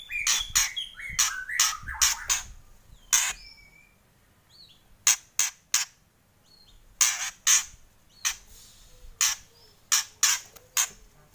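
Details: White-rumped shama, a kept songbird, giving kretekan: loud, harsh crackling bursts in irregular clusters, with a few short whistled notes early on and quiet gaps between volleys.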